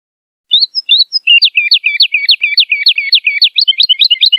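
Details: Wood lark singing: a few high whistled notes, then a fast, even run of liquid, descending trilled notes, about two per second, rising into a rapid, jumbled finish.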